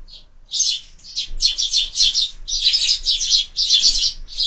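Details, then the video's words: Sparrows feeding at a window feeder at dusk, a steady stream of sharp, high chirps in clustered bursts from multiple birds, almost continuous after a brief quiet start. "Воробьи в кормушке - ужин стартовал"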